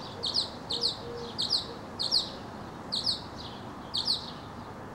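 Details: Male mockingbird singing while leaping and tumbling in a song-and-dance display, which he can keep up for as long as an hour; crisp downslurred high notes given in quick pairs and triplets, each phrase repeated about every half second.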